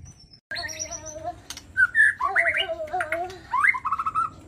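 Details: White-rumped shama singing vigorously: a varied run of whistled, warbled phrases with sliding notes, some lower steady tones underneath and a short quiet gap at the start.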